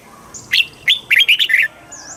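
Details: A single southern master-style phrase from a Thai red-whiskered bulbul, played to stimulate birds and teach chicks: a sharp opening note followed by a fast run of liquid, warbling whistles lasting about a second.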